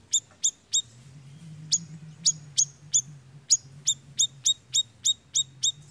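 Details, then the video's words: Siri-siri lure recording for attracting birds: quick clipped high chirps in short bursts, about sixteen notes with a brief gap early on, set against a faint low hum. "Suara Pikat BURUNG SIRI SIRI GACORR"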